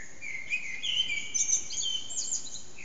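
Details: Early-morning Eurasian blackbird song around 4:30am from an echoing backyard, recorded on an HTC Desire phone; a mellow fluted phrase slides into high squeaky twittering notes, over faint constant hiss.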